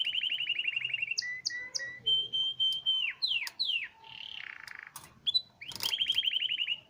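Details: Canary of the Hipi type singing a varied, high song: fast trilled rolls, clipped repeated notes, a held whistle and descending slurred phrases, ending on another rapid trill.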